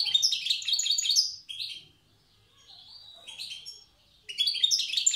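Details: European goldfinch, a wild bird from Tiaret, performing old-style song: dense, tinkling, twittered phrases, a quiet thin trill in the middle, then another loud liquid burst.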